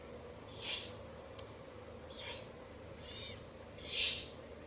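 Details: Owl chicks at their nest in a ruin at night, being fed rabbit by the female after an earlier rat delivery. Four short, harsh hissing bursts spaced roughly a second apart, one fainter than the rest, with a faint click between.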